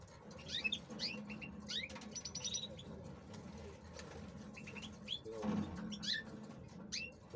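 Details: Captive male European goldfinches, kept for breeding and brought into breeding condition ahead of the season, give scattered bright twittering notes and short buzzy trills, with a brief flutter of wings midway and constant low background hum.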